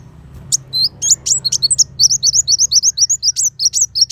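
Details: Kolibri wulung sunbird song used as contest training material for white-rumped shamas: a few sharp ticks, then a brisk, regular stream of thin, zigzagging high notes, roughly four per second.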